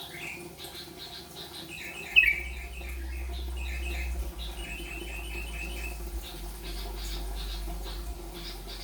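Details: A yellow-vented bulbul practising the rolpen song, giving bursts of rapid, chattering notes in quick rolling phrases, one sharp louder note early, over a low steady hum.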